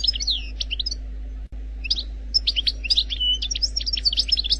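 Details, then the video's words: Algerian European goldfinch singing in the 'khaloui' wild style, without errors: bright chirps and sweeping high notes in fast, uneven runs, a short break before a denser twittering stretch, with a low constant hum behind. "لغة الحسون الجزائري الخلوي بدون اخطاء Chant Chardonneret Algerie"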